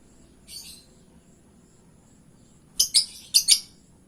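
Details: Lovebird lure call meant to provoke an answering reply: a faint high chirp near the start, then four sharp, shrill chirps in two quick pairs toward the end, over a quiet background.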